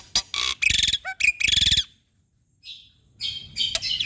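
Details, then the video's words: Black-winged starling (jalak putih) singing actively for training caged birds: rough grating bursts broken by short squeaky notes, a brief silence, then softer scratchy chatter. "Masteran Burung Jalak Nusa = Jalak Putih Gacor Full Isian Mantap - Jalak Pito Istimewa"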